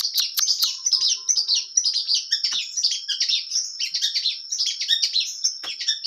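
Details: Long-tailed shrike, Indonesia, in vigorous, clear-voiced song packed with varied material: a continuous jumble of high twittering, squeaky and buzzy notes with a few sharp clicks, and no background noise.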